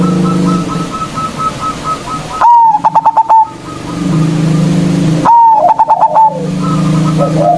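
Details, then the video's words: Strong-voiced local zebra dove used as a lure against rivals, giving two loud phrases about three seconds apart, each a clear whistle then fast rolled pulses, with faint high coos and a persistent low hum between. "Perkutut Lokal GACOR suara Besar Ampuh memanggil Lawan_EMOSI MANGGUNG PANCINGAN PERKUTUT LOKAL"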